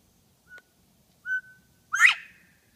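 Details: Quail reintroduced to Bernheim Forest, recorded near the Education Center in 2014, giving a clear three-part whistle: a faint brief note, a stronger level note, then an emphatic upslurred final note, with little else heard.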